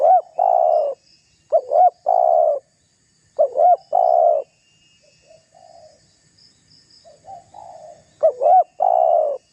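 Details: Spotted dove voicing its rival-baiting menguku call: four loud phrases of twin short notes plus a long coo, with softer, more distant cooing in the gap between them.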